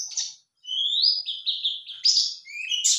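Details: Male white-eye answering a lure call: a high, thin twittering warble of quick rising and falling notes, with one short pause near the start and then a sustained run of sweet chirps.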